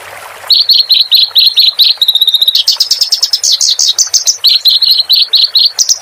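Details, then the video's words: Kerak basi, the clamorous reed warbler, singing for cage-bird song training, with water therapy sounds behind; after a short quiet start, a run of evenly repeated clipped high notes gives way to fast, varied rattling and sweeping phrases. "Suara Burung Ini Buat Masteran"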